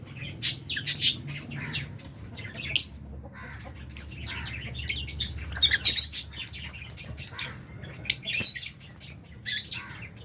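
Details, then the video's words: Albino and Fisher's lovebirds sharing an aviary with budgies while eating food; a flock of overlapping sharp, high chirps and squawks in irregular bursts, with a low steady hum underneath. "Lovebirds Chirping Sounds"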